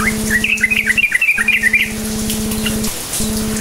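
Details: Yellow-vented bulbul singing to stir quiet bulbuls into song: a rapid bubbly string of about a dozen chirped notes lasting roughly a second and a half, over a steady electrical-sounding hum.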